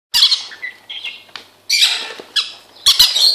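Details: Captive Timneh grey parrots eating parrot cereal, giving harsh, noisy squawks in four bursts over about three seconds, with short whistled tones between the louder calls.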